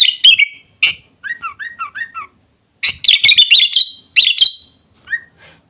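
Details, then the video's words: Kutilang (sooty-headed bulbul) in full song, giving sharp chirps, a run of four quick downward-slurred whistles, then a bubbly warbled phrase and a final soft note. "Suara Kutilang Gacor Dorr"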